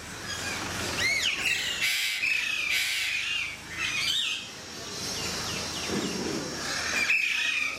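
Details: Captive Alexandrine parakeets at Mysore Zoo: loud, grating squawks and rasping bent notes in bursts, with a sharp cry near the end, set against a broad hissing wash of aviary noise.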